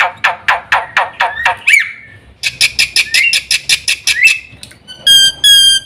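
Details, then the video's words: Black-winged myna giving harsh, broadband squawking notes repeated about twice a second, interspersed with rising slurred whistles and ending in a clear, steady whistled note. "burung jalak putih"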